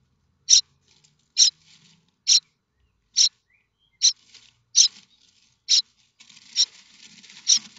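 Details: Common starling chicks begging in their nest at Théding, France, on 7 May 2024, expecting a parent with food; short raspy, hissy bursts about every second, with faint scratchy rustling building near the end.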